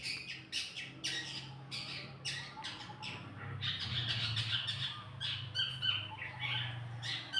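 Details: Birdsong used as masteran to make other birds answer: sharp high chirps and squawky bursts in quick, irregular succession, with a steady low hum underneath.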